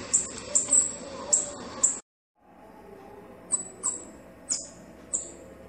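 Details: Male and female bananaquit: high, thin, sharp notes in quick succession, then a short silent break, then more scattered high notes at irregular spacing.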